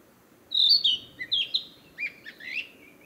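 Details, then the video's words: A breeding-season Narcissus flycatcher declares its territory with a phrase of clear, high whistled notes stepping downward, followed by a run of short lower rolling notes. "キビタキ!七色のさえずり[Narcissus Flycatcher]"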